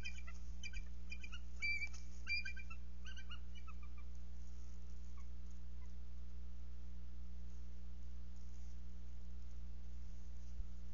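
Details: Bald eagle pair at a nest on egg watch, recorded by a nest camera on February 12, 2023, during mating: a rapid series of high, thin chittering notes for about three seconds, then steady low electrical hum only.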